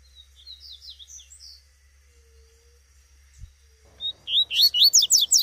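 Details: Wild female Double-collared seedeater of the tuitui type in the bush: faint high descending chirps, a long quiet pause, then a burst of loud, rapid, sweeping high notes, about eight in a row. Constant low hum beneath.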